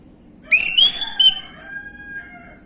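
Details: Orange-headed thrush lure recording, meant to make untrained birds respond: a brief run of clear whistled notes, the first rising and ringing, then two quick slurred notes and a long fading lower whistle over quiet background hiss.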